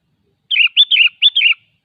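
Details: Wild sooty-headed bulbul singing three quick chortling phrases in a row, each a cluster of rich warbled notes with a lower tail note, in quiet surroundings.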